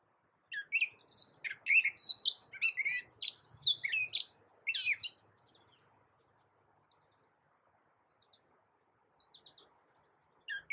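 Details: Gray catbird, a small American bird able to mimic a cat, sings a loud jumble of varied chirps and slurred whistled phrases for about four seconds, then falls mostly silent with a few faint notes.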